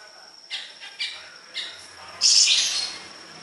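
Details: Siri-siri besar singing vigorously on a training recording for other songbirds: four short, harsh, buzzy high chirps about half a second apart, the last longer and louder, over a faint steady high whine.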